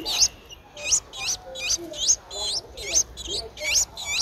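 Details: Nestling Streak-eared Bulbul, 10 days old, recorded in Ubon Ratchathani, Thailand on 12 April 2023; loud high squeaky chirps with wavering inflections, repeated about twice a second in an uneven run.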